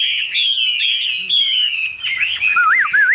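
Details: Chinese hwamei kept in a cage, noted for strong song. A dense, loud run of high twittering phrases ends in clear, looping whistled notes that dip and rise.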